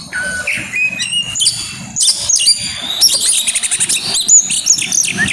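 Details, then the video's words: Oriental magpie-robin (kacer) grabakan song with isian: scattered thin whistles opening into a dense, fast volley of high chirps and trills, varied and energetic, soft low thumps beneath. "burung kacer grabakan keluar isian"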